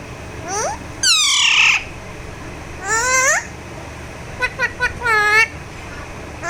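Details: Talking Alexandrine parakeet during a massage gives harsh squawks: a short upward note, a loud falling screech, a rising call, a quick stuttered burst, then a wavering squawk.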